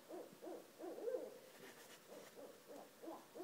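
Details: Two Barred Owls that live outside a house call at 1:30 am, trading rapid, arching hoots, about nine wavering notes in three seconds, with no other sounds nearby.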